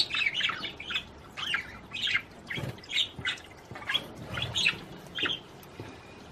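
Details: Courting budgerigar singing to encourage a female to mate, a run of quieter, evenly spaced short chirps and squeaks about twice per second, with a few low knocks underneath.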